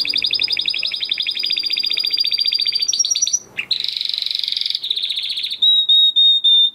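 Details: Training song from a crested Spanish Timbrado canary of 2020 breeding: a long rapid rolling trill, a brief break, a buzzy rattling passage, then several clean, drawn-out whistled notes repeated in a row.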